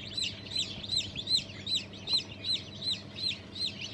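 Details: One newly hatched chick among Cream Legbar, Sultan, Fizan, Cochin and İspenç hatchlings of 5 May 2023 peeps loudly and evenly, about two to three shrill, falling notes per second, with a quiet hum beneath.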